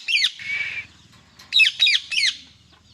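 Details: Male Indian ringneck parrot calling angrily: harsh, screechy downward-slurred squawks, a drawn-out note, then three loud rasping screeches in quick succession.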